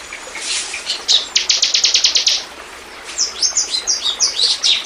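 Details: Bar-winged prinia (ciblek) lure recording used to attract wild birds: a rapid series of sharp, high chipping notes, then a quicker run of squeaky, warbling chirps.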